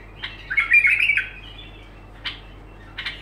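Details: Bulbul song with continuous, unbroken phrasing: a warbled, jumbled phrase of rich notes in the first second, then short sharp notes near 2.3 and 3.1 seconds, recorded indoors.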